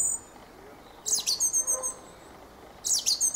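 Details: Two chattering bursts from a Fieldfare, each a rapid string of squeaky, grating notes, the second coming about two seconds after the first.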